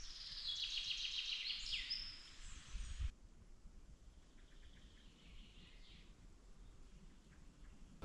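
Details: A chaffinch, heard during a mountain hike at around 1,700 m with mild temperatures, sings a bright, quick descending run of notes ending in a flourish, then fainter phrases over low wind rumble and outdoor noise.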